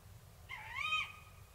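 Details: Tawny owl, Córdoba province, giving a single drawn-out call that rises, then bends and tails off, lasting about half a second over faint low background hum.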